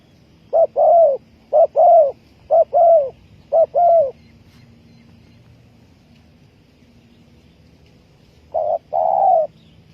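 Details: Spotted dove call used for trapping: four evenly spaced paired coos, each a short note then a longer one, about one second apart, then silence and one more pair.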